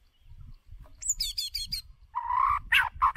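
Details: White-rumped shama lure bird singing for voice training: thin high trilled notes, then a lower buzzy drawn-out note and short harsh notes, over faint rumbling.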